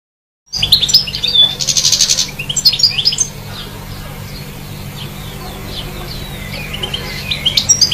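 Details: European goldfinch singing in trees: a burst of high, rapid tinkling twitters and trills from about half a second, then quieter scattered high chirps, with a steady low hum underneath.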